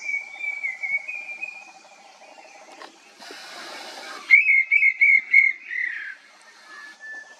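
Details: Banded bay cuckoo: a short series of about four clear, high whistled notes at even spacing, slightly sliding, following a steady background drone and a brief burst of hiss.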